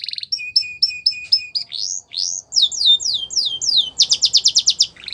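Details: Song for training young canaries, Russian and Belgian canary style: paired clear notes repeated steadily, then slow sweeping upslurs and downslurs, ending in a fast buzzy trill.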